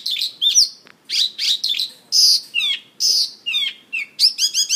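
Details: Mongolian lark singing on a stage while dancing: a varied mix of harsh chatters, sustained high whistled notes, descending slurs and a final quick series of rolling chirps.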